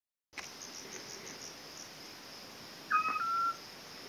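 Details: Eurasian scops owl giving one clear, steady whistled note lasting about half a second, slightly rising at the start, against faint background hiss.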